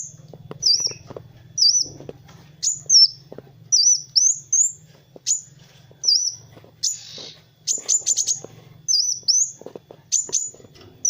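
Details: Kolibri wulung sunbird master song for teaching other birds: rapid high piercing whistles, some doubled, with a brief rush of dense sharp notes in the middle, over a light low hum.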